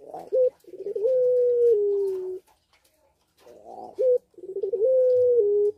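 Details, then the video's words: Captive puter pelung in breeding condition, Sukorejo, Situbondo: two coo phrases separated by a second of silence. Each phrase has a short rising note, then a long level tone that steps down at the end. "Puter Pelung Gacor Birahi | Pancingan Puter Pelung Cepat Birahi"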